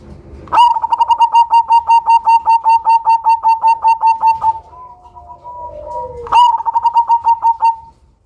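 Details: Loud Cemani zebra dove, a lure bird with a unique rhythm: a long, even run of about twenty rapid rolling pulses lasting four seconds, a soft lower gliding coo, then a second shorter pulsed run.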